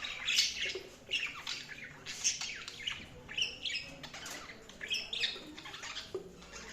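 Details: Budgerigars chirping: a jumble of soft warbled chatter and sharp squeaky chirps from several birds, irregular and overlapping throughout, with steady background hiss.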